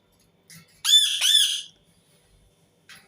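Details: Indian ringneck parakeet screaming indoors: two loud, harsh, arched squawks with rich harmonics, each about a third of a second, then quiet with faint short squeaks before and after.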